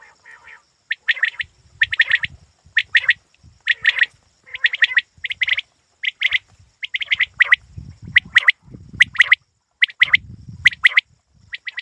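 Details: Quail calling for hunting: a long, dense series of short, buzzy high note clusters repeated about once a second, with low rustling in the latter part.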